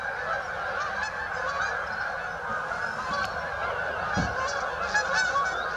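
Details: Flocked Canada geese at St Anne's Lagoon honk together in a thick chorus, a few brighter calls poking out and a dull knock midway.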